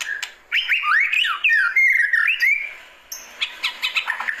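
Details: White-rumped shama giving its classic calling song: a brief note, then a rapid series of bouncing, looping whistles, then a pause and a string of short sharp chirps.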